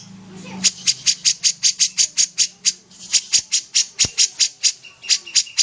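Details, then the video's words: Common iora in lively song: a long, steady train of sharp high chips at about three per second, ending with a few thin level whistles; faint hum at the start. "suara burung kapas tembak gacor"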